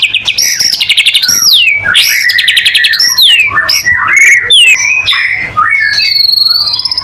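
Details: White-rumped shama singing a lure song aimed at getting other shamas to sing; high rapid trills, long descending whistled slides and sharp rising slurs in a continuous, loud and very varied stream.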